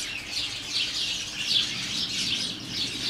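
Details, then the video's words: Colony of house sparrows in garden bushes, a holly tree and a flowering currant, about 30 or more birds, filmed from a kitchen door: dense overlapping chirps and cheeps forming a continuous chattering chorus. "The Sound Of Spadgers!"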